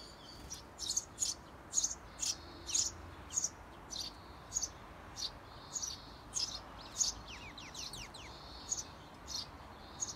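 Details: Eurasian tree sparrow parents outside a nest box urging seventeen-day-old nestlings to fledge; sharp high chirps repeated about twice a second, with a burst of quick rising notes near the end over steady background hiss.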